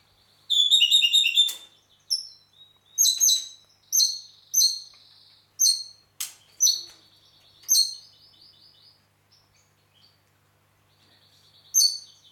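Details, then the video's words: Red-rumped parakeet in Heraklion, Crete, singing: an opening rapid warbled trill, then a series of short, high whistled chirps and slurred notes spaced about half a second apart, with brief quiet gaps. "Red Rumped Parakeet"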